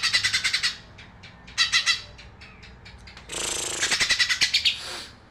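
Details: Magpie robin giving quick runs of sharp, scratchy chattering notes, then a denser, buzzier burst of rapid notes near the end, all loud and high-pitched.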